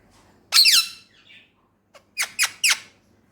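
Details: Indoor pet male Indian ringneck gives one loud, harsh, falling squawk, then a short pause and three quick, evenly spaced shrill syllables.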